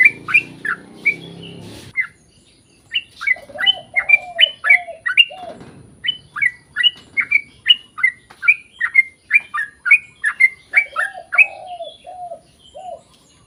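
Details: Lure recording of a yellow-vented bulbul in long, chatty song meant to set other bulbuls singing: a low rumble at first, then a fast string of sharp, bouncing chirps, with short lower whistled phrases mixed in.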